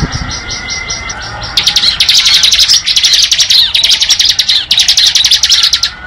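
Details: Bar-winged prinia singing in the ngebren style: after soft opening notes, a loud, rapid, buzzy trill of high clipped pulses runs continuously, with brief breaks between bursts.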